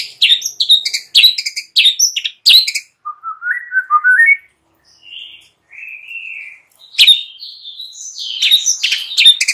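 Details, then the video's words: Morning lure song of a white-rumped shama, with short harsh chattering bursts, then a rising ladder of sweet whistled notes and a drawn-out whistle, ending in more rapid harsh, scratchy phrases. "Jadikan murai PAGI HARI Terpikat NGEPLONG dan GACOR"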